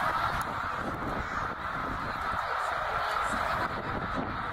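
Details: A huge migrating flock of snow geese, about eighty thousand birds, at Middle Creek in Pennsylvania, 2023; a constant mass of overlapping nasal calls, with a few clearer individual notes near the start.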